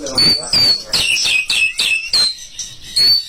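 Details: White-rumped shama provoking song: short high whistles alternating with sharp descending chips in a stuttering rhythm, separated by brief gaps.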